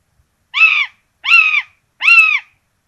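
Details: Nest of common buzzards in Tiszalök, Hungary, 26 June 2022, two chicks getting rabbit for breakfast; three loud, even, raspy calls evenly spaced about three-quarters of a second apart, clean silence between.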